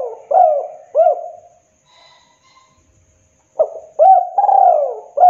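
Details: Spotted dove (tekukur) master recording for training and trapping: short hooked coos repeating, a quiet pause, then another phrase ending in a drawn-out falling coo and a final clipped note.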